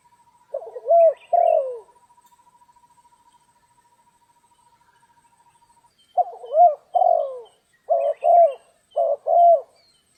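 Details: Spotted dove heard while being trapped in stormy, rainy weather: two soft coos, then a long pause with a thin steady tone, then four more paired mellow coos in quick succession.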